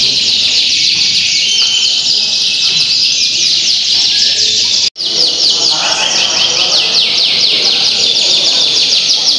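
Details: Canaries at a singing contest in the Linggarjati Auditorium, Kuningan, on Sunday 11 June 2023. Many birds sing at once in a dense, high, continuous chorus of rapid trills and sweeping notes, with a brief cut midway and faint background voices.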